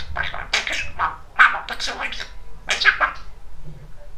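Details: Very talkative male pet budgerigar chattering indoors in rapid, speech-like phrases. Clusters of quick syllables come in bursts, with a short pause before a final run of words.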